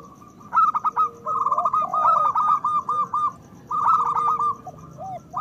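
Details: Zebra doves of the local type, a strong-voiced lure for raising breeding urge in other doves: quick trilled coo phrases rise and fall, overlapping softer curved notes, then a second burst after a gap.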